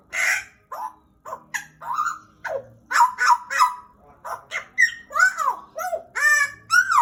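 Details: Pied butcherbird kept as a pet for about two years sings a loud, varied run of mellow whistles, slurred upward and downward notes, and arching fluted phrases, delivered almost without pause.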